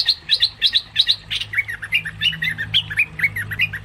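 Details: Cream-vented bulbul lure call used for trapping birds: rapid series of short, bright chirped notes, paired at first then single, repeated about three times a second, over a steady low hum.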